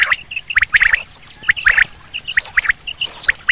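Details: Common quail sound for hunting: crisp, high clipped notes grouped in twos and threes, about once per second, each group followed by a short steady piping note.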